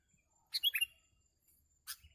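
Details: Sooty-headed bulbul, recorded while trapping birds: one quick phrase of three sharp, squeaky chirps, then a single short, harsher note.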